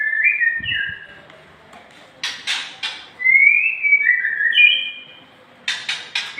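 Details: Nias hill myna whistling a long song, recorded for training cage birds: smooth paired whistles that slur down, broken by short harsh rasping bursts, with little other background.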